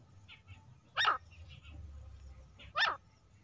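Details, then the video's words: Hunting call of a female grey francolin, locally called teetar. Two strong, rasping, downward-sliding notes about 1.8 seconds apart, with softer distant notes and a low rumble in the background. "best clear female Teetar sounds | grey francolin hunting sounds"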